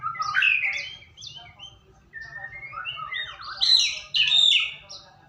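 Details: Lure song of a white-rumped shama to prompt singing, loud and rich: a string of clear whistles and warbled slurs. Brighter, higher rising phrases burst out near the end, with a faint low hum beneath.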